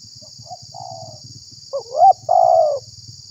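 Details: Lure call of a spotted dove for trapping wild doves and stirring up others: a faint soft coo first, then a louder rising-and-falling coo and a long throaty note, with low rumbling noise beneath and a steady high hiss.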